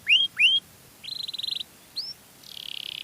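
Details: Canary singing to lure other canaries: two loud rising whistles, a short buzzy rattle, one more upslurred whistle, then a soft fast buzzing trill.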